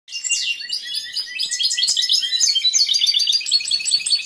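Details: Caged male European goldfinch in full breeding condition, a competition bird with a large repertoire, singing toward an unresponsive female: a dense, fast, tinkling twitter of high liquid notes and buzzy trills running without pause.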